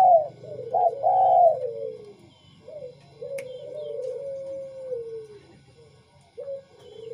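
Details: Tame spotted doves, one white and one of the local wild type, giving rich drawn-out coos that slide downward, separated by short hooked notes, with a constant low hum and thin high chirps in the background.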